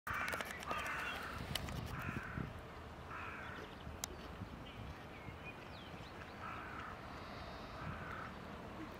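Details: Hooded crow (Corvus cornix) at Prule, Ljubljana, March 20, 2023, giving harsh hoarse caws in short bursts, with background noise and faint distant bird calls.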